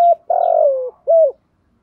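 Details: Close spotted dove coo: a clipped opening note, a long rough, purring coo gliding slowly downward, then one clean rounded coo, given as a calling and fighting challenge.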